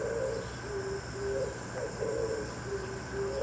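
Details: Oriental turtle dove calling in the early morning, trading calls back and forth with another dove; low, hollow cooing phrases repeat in a steady rhythm over a constant background hum.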